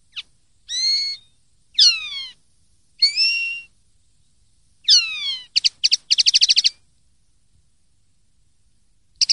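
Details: Common linnet singing a clean song recording made for song training: bright twittering phrases of ringing, slurred notes followed by rapid dry trills, all high-pitched against a quiet background.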